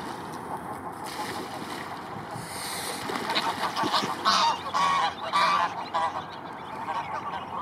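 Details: Arctic geese, dozens of adults with their chicks among millions of white flowers: a run of short, nasal, overlapping honks swells mid-clip and fades again over steady wind-like background hiss.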